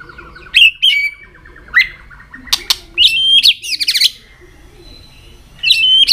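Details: Singing white-rumped shama, caged, flicking its tail while singing to rouse other shamas for competition: bright whistled notes, crackling buzzy bursts and sharp clicks in uneven phrases with pauses between.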